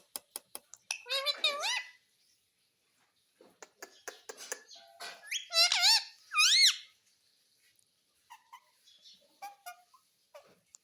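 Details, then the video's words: Talking pet parrot in a small room, said to say "Papa Mitthu". Quick clicks open the clip, then two bursts of wavering, bent harmonic calls come between soft scattered noises, with faint tonal fragments at the end. "पापा मिट्ठू बोलने वाला तोता"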